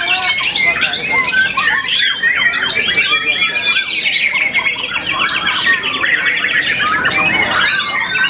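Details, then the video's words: White-rumped shama, a young contest champion after its first moult, delivers rapid overlapping trills, buzzy chatters and bright whistled slurs, with thin high squeaks above, almost without pause. "murai batu muda mabung satu kali"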